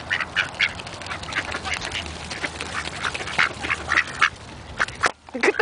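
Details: Two hungry Buff Orpington domestic drakes in a feeding frenzy, one biting the camera, quack in a rapid, overlapping jumble of harsh, nasal bursts several times a second; a voice may be faintly mixed in.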